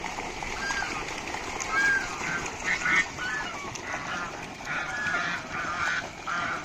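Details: Raj hash ducks, described as deshi raj hash, giving a steady run of nasal, honking calls that overlap from several birds, rising and falling over a constant background hiss.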